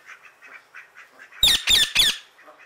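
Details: Three loud, harsh screeches in quick succession from an Indian ringneck parrot outdoors calling other birds, each about a quarter second long, with gentle, rhythmic chirping before and after.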